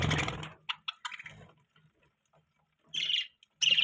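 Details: Budgie giving scattered short chirps and squeaks, a few clipped notes with pauses, then brief bursts of chatter near the end.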